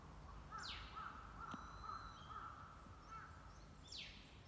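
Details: White-browed laughingthrush (Pterorhinus sannio) giving its contact call, recorded April 2022: short, harsh mid-pitched notes about once a second and two sharp downward swishing notes, over a low rumble of background noise.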